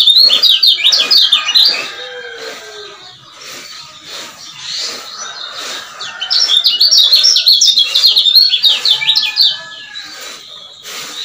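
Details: Male lemon-bellied white-eye from Lombok, played as a lure to rouse silent males: two loud bursts of rapid, high, zigzagging chatter separated by quieter chirping.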